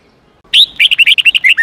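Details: Red-whiskered bulbul song meant to teach young birds the true forest voice: a clear whistled note, then a lively string of around ten short fluty notes falling at the end.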